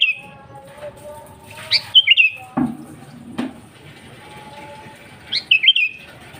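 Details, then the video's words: Sooty-headed bulbul singing actively without other birds' songs added, a recording meant to draw in wild rivals: two brief liquid chattering phrases about three seconds apart, with a couple of sharp knocks in between. "Suara Burung KUTILANG GACOR AsliTanpa ISIAN 100% Ampuh Untuk Pancingan Kutilang Bahan."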